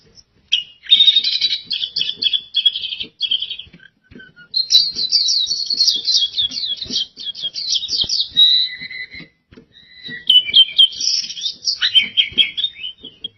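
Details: Oriental white-eye pouring out lively gacor song in three long bursts of thin, rapid, twittering notes separated by short silences. A few lower whistles appear near the middle.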